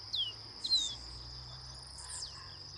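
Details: Chestnut seedeater singing: a few clear, whistled notes sliding sharply downward, heard in short bursts over a steady, high, continuous insect drone.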